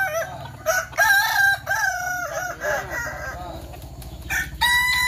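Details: Several Kukuak Balenggek chickens crowing at a joint practice contest, Sawah Lunto, Indonesia; bright multi-note crows with wavering tones, bursts and gaps between phrases, background clucking and chatter.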